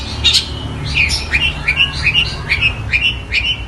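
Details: Long-tailed shrike mimicking Tengkek Buto and fighting sparrow sounds: a couple of sharp chirps followed by a steady series of about nine clear, downslurred whistled notes, evenly paced, over a low hum.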